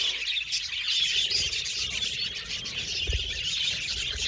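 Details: A group of budgies chirping, with a continuous blur of high, quick tweets and thin whistles, plus a soft low thud about three seconds in.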